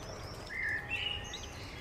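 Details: Eurasian coot family with seven chicks, Beverwijk, the Netherlands: two high, reedy whistled calls, the second a little higher, with soft twittering behind and a low steady hum in the background.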